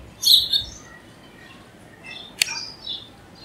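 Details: House sparrow giving a loud burst of high chirps at the start, then quieter scattered chirps and one sharp click.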